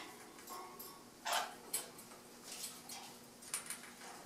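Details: A captive crimson-rumped toucanet, making a territorial display, gives short, harsh, barking croaks, four or five spaced about half a second to a second apart, in a quiet indoor room.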